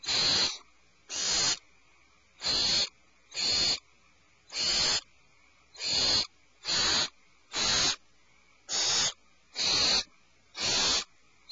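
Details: Owlets in a nest cavity screech in alarm: eleven rasping, breathy bursts of about half a second each, repeated roughly once a second.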